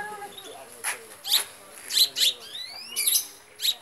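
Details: Long-tailed shrike song: sparse, short sharp chirps and thin rising whistled sweeps, bursts spaced irregularly about every half second over a quiet hiss.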